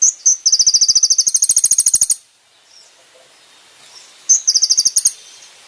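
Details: Van Hasselt's sunbird song for training caged birds, full of rich fill notes: high, rapid strings of sharp ticking notes repeated about three per second, a long burst, a pause, then another short burst.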